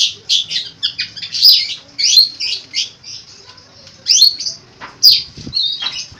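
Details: Long-tailed shrike, a caged songbird kept for training other birds, singing a varied song full of mimicked phrases: harsh buzzy bursts mixed with high whistled slurs and quick chirps, uneven pauses between phrases.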